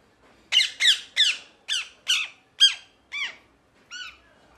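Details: Parrot giving a run of eight grating squawks, about half a second apart, that gradually turn softer and more nasal toward the end.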